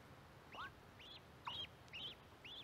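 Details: High, arching peeps from mallard ducklings near a microphone placed by corn, about two calls a second, with one louder, downward-swooping peep in the middle.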